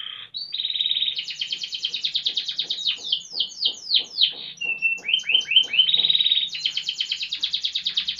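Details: Canary in lively, sustained gacor song: long, varied rapid trills and rattling rolls with bright whistled notes and buzzy phrases, pouring on without pause in a clean, quiet setting.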